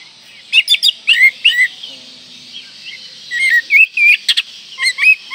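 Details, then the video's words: Oriental magpie-robin in breeding condition, singing a rich, varied song that provokes rivals: rapid chirps and looping whistled notes, a brief pause, then a longer run of whistles and clicks. "Kacer Gacor Full Isian Mewah Merangsang Birahi Agar Tetap Gacor Ngobra Dan Lawan Jadi Emosi"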